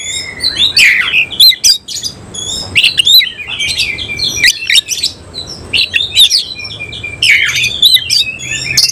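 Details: Oriental magpie-robin of the semi-cililin type, singing loudly while puffing up and spreading its tail: a rapid run of high whistled sweeps, sharp downslurred notes and harsh scratchy bursts, delivered in dense phrases with brief pauses.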